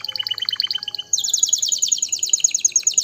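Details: Canary singing a quick run of high chirped notes, then a bright rapid rolling trill repeated many times per second, sustained to the end.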